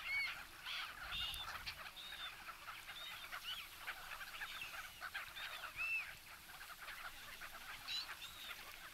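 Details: A flock of black-headed gulls at a winter feeding spot in Kasumigaura Park, Tsuchiura, Japan, with people feeding them, calling over one another: harsh, arched kree-ar squeals, several every second, over a soft background hiss.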